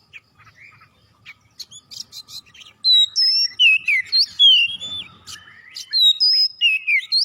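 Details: Oriental magpie-robin singing to stir other birds into song: soft clicks and chips at first, then loud varied whistles, some swooping and some trilled, repeated in rapid bursts, with a brief low rumble.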